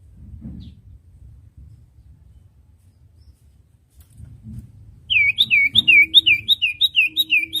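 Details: Common iora master song for teaching young caged birds to sing: after several quiet seconds of low rumbling, a fast series of about nine sharp, down-slurred whistles starts and repeats evenly to the end.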